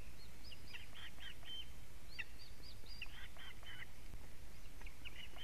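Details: Osprey alarm calling from a nest in Latvia, 19 July 2017, 19:43, while the male brings a live fish; short groups of high, slightly hoarse chirps repeated irregularly against heavy low rumbling background noise.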